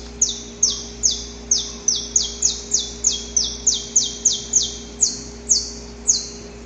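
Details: Courting male saffron finch recorded in nature before daybreak: a loud, steady series of sharp, high chips sweeping downward, each given about every third of a second. A constant low hum lies beneath.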